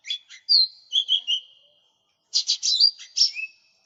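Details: Lesser green leafbird singing gacor for a cage-bird lure and tutor recording: a few chirps, a clear downslurred whistle and soft warbled notes, a pause of nearly a second, then a dense burst of ringing chirps.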